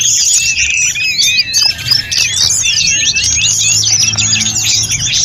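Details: Snowy-browed flycatcher singing nonstop as tutor audio for other birds. Dense, high, fluting whistles and chirps slide up and down in varied phrases over a soft low rumble.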